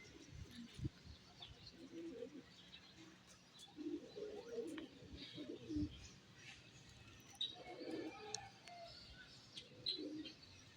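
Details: Morning pigeon coos: low, throaty rolling phrases repeated every couple of seconds, with faint high chirps of other birds behind.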